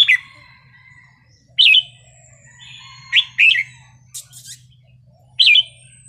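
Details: Red-whiskered bulbul singing a wild-style song: short, loud, liquid chirping phrases at roughly 1.5-second intervals, each a quick bubbly burst, separated by quieter thin notes, with a faint steady low hum underneath.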